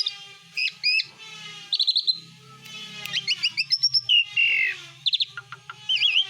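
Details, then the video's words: Vigorous besetan isian singing by an Asian pied starling, packed with imitated bird sounds: quick whistled zigzag notes, rapid chattering clicks, a descending whistle and wavy slurred notes, over a low background rumble. "ISIAN BESETAN JALAK SUREN GACOR🛡️SIAPKAN SUARA BANYAK BURUNG"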